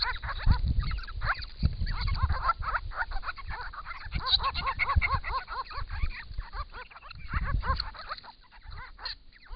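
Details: A group of six wild grey-crowned babblers in regional Victoria, Australia, chatter together while drinking and bathing at a pond in hot weather, January to March: a busy stream of overlapping nasal, arching notes over low rumbling and splashing.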